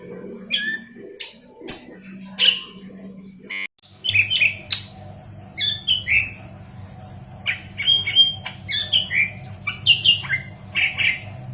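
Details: Yellow-headed leafbird singing intensely (gacor), used as a training recording for green leafbirds: a busy run of sharp chirps, rising whistles and buzzy notes, a short break near four seconds, over a steady low hum.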